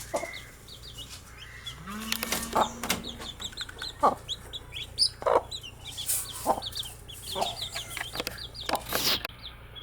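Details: Baby chicks cheeping throughout, with high falling peeps from several birds mixed with sharp tapping and rustling noises and a brief steady low tone early on.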